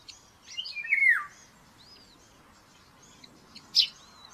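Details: Common buzzard chick at a nest in Tiszalök, Hungary, on May 5, 2024, begging aggressively during breakfast feeding, picked up by a nest camera: one loud, thin, descending whistled squeal, then a short sharp note, with faint songbird chirps behind.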